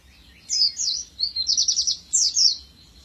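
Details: Master-training song of a dakun-type oriental white-eye: a short, loud phrase of high sliding chirps and a fast rattling trill, heard over a low background hum.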